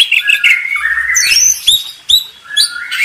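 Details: Master song of an Oriental magpie-robin for training contest birds: a long, slurred whistle that rises and falls, followed by a few sharp upward chirps.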